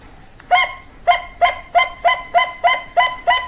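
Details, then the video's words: Bangkok-type zebra dove (perkutut) singing: a fast run of about eight short, clipped, harmonic coos, evenly spaced roughly every third of a second, with faint background hiss. "Perkutut Bangkok Suara Top Markotop"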